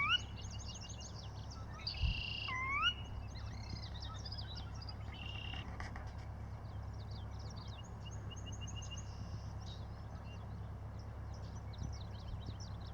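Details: Birdsong from a riparian sedge wetland edged with willow and shrubs along the Bull River in Northwest Montana: a few rising whistled notes early on, then a faint, scattered chorus of high chirps and twitters over a steady low background hum.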